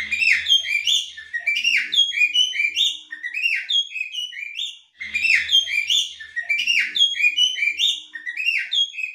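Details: Ngobra call of a female Oriental magpie-robin, meant to make any male join in: dense tumbling whistles and scratchy slurred notes in a continuous excited stream, repeated after a brief break.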